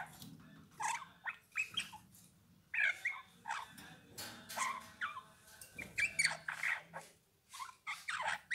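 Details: A Eurasian bullfinch sings a long chattering sequence of brief squeaky and warbled notes, some with higher whistled tips, pausing briefly before resuming, with a faint low hum behind.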